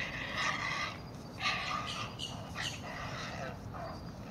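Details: Two great blue heron chicks in the nest give harsh, rattling, clacking begging calls in irregular bursts, roughly one a second, as the parent brings food; steady background hiss.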